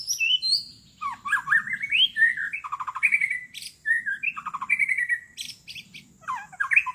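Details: White-rumped shama voice used in a forest to lure wild birds: a rich, varied run of rising and falling whistles, slurred phrases and rapid chattering bursts, delivered almost without pause.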